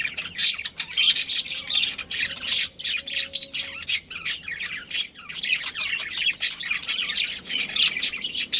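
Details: Budgies of a breeding pair kept at home, giving rapid repeated harsh chirps and squawks roughly several per second, a dense chattering stream throughout.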